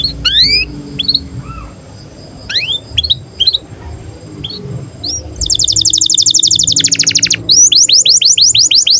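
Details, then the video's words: Canary song in breeding condition, meant to teach young canaries to sing and roll: scattered rising chirps with pauses, then a dense buzzy rolling trill, followed by rapid repeated upslurred notes. "KENARI GACOR Cuit CUIT BIRAHI UNTUK PANCINGAN & MASTERAN Kenari PAUD AGAR BUNYI DAN NGEROL"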